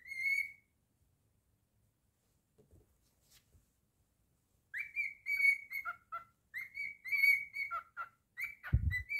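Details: Singing pet cockatiel, a male, indoors: one whistle, a quiet gap, then a run of bright whistled phrases with held notes and falling slurs, ending with a low thump.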